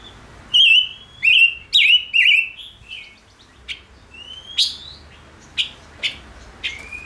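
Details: Five-coloured bird, a small insect- and fruit-eater, singing: four strong, sharp chirps in quick succession, followed by scattered thinner upslurred notes and a final short whistle.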